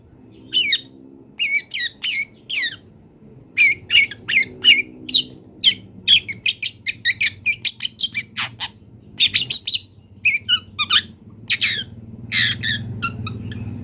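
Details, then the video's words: Singing wild long-tailed shrike delivering a long, rapid run of mixed high chirps, trills and scratchy mimicked notes in dense bursts. A low hum lies underneath. "CENDET GACOR BONGKAR ISIAN | MASATERAN CENDET BURUNG LIAR"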